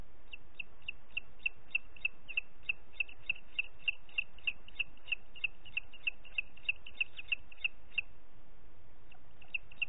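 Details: Booted eagle in Parc Natural dels Ports, 30 June 2021, late morning, giving a long fast run of sharp high whistled notes, about three per second for eight seconds, a short pause, then a few more.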